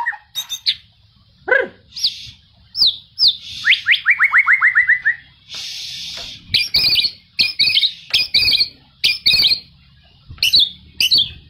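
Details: Raging white-rumped shama, used to spur other shamas to sing and fight: sharp upslurred whistles, a fast falling series of clicking notes, then repeated buzzy chattering bursts separated by short gaps.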